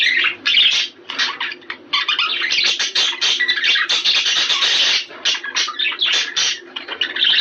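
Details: A flock of budgerigars in breeding-stimulating chatter: busy, continuous warbling of buzzy squeaks and bright chirps, loud sustained stretches broken by a few short gaps.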